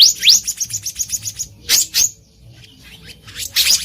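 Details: Wild black-naped monarch calling: a fast run of sharp, high rising notes repeated several times a second, then scattered harsher bursts and a few faint high notes, over quiet background.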